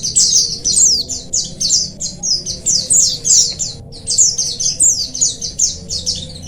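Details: Oriental white-eye colony chorus, played to encourage reluctant birds to sing: rapid high-pitched twittering phrases, sharp falling chirps packed closely, a brief gap near the middle, faint low hum throughout.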